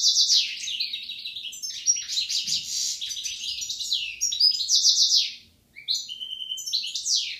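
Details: Song of a European goldfinch, one of a pair, Algeria, 2016: fast, liquid twittering of high chirps and buzzy trills, nearly continuous, with one brief pause before clear repeated whistled notes.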